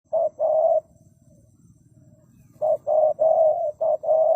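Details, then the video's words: Spotted dove cooing: a short coo and then a longer, steady coo, a pause, then a quicker run of short and long coos in the same mid-low pitch, with soft low rumbling between phrases. "The Sound of Spotted dove"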